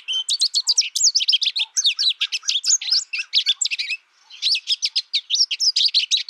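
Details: American goldfinch delivering a dense, almost continuous stream of high, bright twitters and slurred chips, pausing briefly near four seconds before resuming the same fast jumble.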